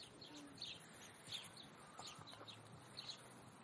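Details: A flock of house sparrows in Leipzig, Germany, gathered at a zoo window: repeated high, sharp chirps from several birds, roughly one or two each second, over steady low city noise.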